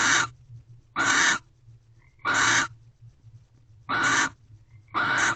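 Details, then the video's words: Mating barn owls in a corral owl box at 5:48 am, 24 February 2023: five rasping, hoarse screeches, each under half a second, spaced irregularly about one to one and a half seconds apart over a faint low hum. "Barn Owls Mating"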